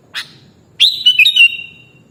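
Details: Sooty-headed bulbul (kutilang), recorded as a training track: a single sharp note, then a liquid whistled phrase of several warbling notes that trails off into a long, slightly falling tone. Background is quiet.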